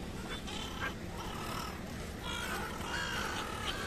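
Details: Migratory black-headed gulls flocking in India, a very noisy group: overlapping harsh, nasal calls around the middle pitches, sounding continuously with dense background chatter and a steady wash of noise.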